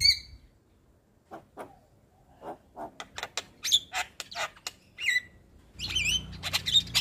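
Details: Javan myna chattering nonstop as a training recording: a high whistle at the start, then a fast series of harsh clicks and chirps, ending in denser whistled phrases over a faint hum.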